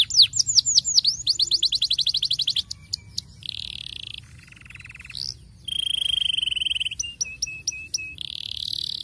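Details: Canary singing meant to prompt young canaries into song, opening with a rapid trill of downward-swept whistles, followed by buzzy rolls, a low rattling phrase, a long even whistle and short repeated chips.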